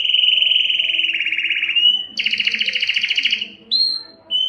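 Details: Singing canary delivering sustained rapid rolling trills, shifting from a mid-pitched roll to a higher doubled trill, ending with short clear whistled notes; no other sounds.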